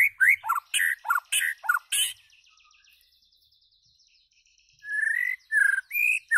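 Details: White-rumped shama in song: a quick run of dropping whistles and clicks, a pause with a faint thin hiss, then a few more rising and falling whistled phrases.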